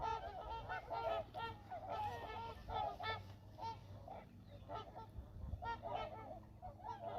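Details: A flock of trumpeter swans arriving at Church Slough, Montana, calling in a dense run of overlapping nasal, trumpeting honks. Several birds call at once with little pause, and a low hum runs underneath.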